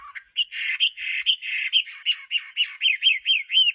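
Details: Actively singing Chinese hwamei. Harsh buzzy notes are followed by a rapid series of loud arched whistles, about four per second, repeated steadily.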